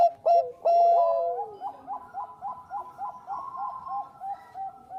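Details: Bangkok zebra dove song for luring. A few loud clipped notes open a long falling coo, then a soft rhythmic series of short rolled coos repeats about three times a second.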